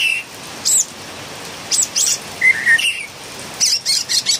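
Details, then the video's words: Philippine bulbul giving harsh, grating chirps and a pair of slurred whistles, ending with a quick run of rough, scratchy notes. "PULANGA ma ingay talaga(singing bird)"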